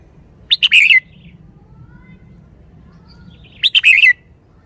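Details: Red-whiskered bulbul in a cage, lively and bright, singing two short rippling phrases of quick chirped notes, each ending in a falling slurred note, three seconds apart.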